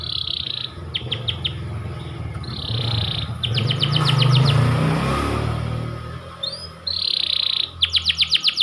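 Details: Pied panda canary singing in short bursts: rapid trills and a buzzy rolled note, broken by a passing vehicle's rumbling engine in the middle.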